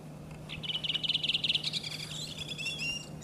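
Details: Redwing in song during April in Iceland, opening with a quick series of rhythmic high chirped notes that blur into a trill, followed by thinner drawn-out whistles and short twittering phrases over a faint low hum.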